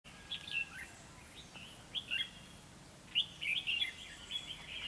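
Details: Decoy red-whiskered bulbul singing to lure wild birds into a trap, on 3 November 2016: short, bright, warbled whistled phrases in scattered bursts, quiet gaps between.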